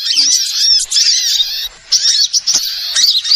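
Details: Lure sound for trapping small birds: a long burst of high, squeaky twittering, a brief pause, then choppy overlapping chirps resuming.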